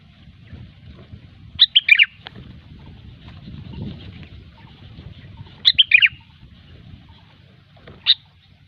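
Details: Sooty-headed bulbul, gecor style used for luring: two rapid, liquid, descending phrases of four notes about four seconds apart, then a single sharp note, over a soft low rumble.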